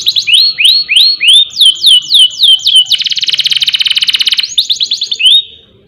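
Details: Canary delivering song meant to train and provoke other birds to sing: a run of repeated downslurred whistled notes, then a fast dense buzzing trill, then more slurred notes ending abruptly.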